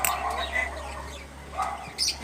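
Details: Myna bird speaking, giving short human-like talking phrases with voice-like harmonic bands and a squawky, breathy tone, followed by a brief high burst near the end, over a steady low hum.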